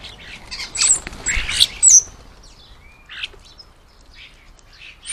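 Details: Common starlings feeding at a garden bird table, giving harsh, scratchy chatter with sharp high whistles and clicks in bursts, then quieter spells with scattered squeaks.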